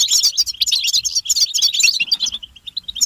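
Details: Group of European goldfinches in stimulating butbata twitter. A dense flurry of high, sparkling chirps tapers into softer, spaced notes toward the end.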